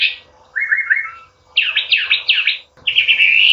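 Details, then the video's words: Training song of a Chinese hwamei for caged birds: a quick lower trill, then a set of ringing downward-sweeping whistles, ending in a sustained bright warbling phrase, low hum beneath. "SUARA MASTERAN BURUNG HWAMEI ATAU WAMBI GACOR"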